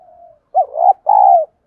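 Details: Decoy female spotted dove luring wild birds, one phrase of a short clipped coo then two longer, rolling, hoarse coos after a faint soft lead-in.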